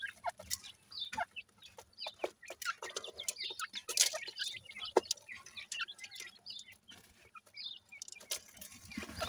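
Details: Grey francolin chicks playing, with a busy scatter of high peeps and short descending chirps punctuated by sharp clicks and scraping sounds.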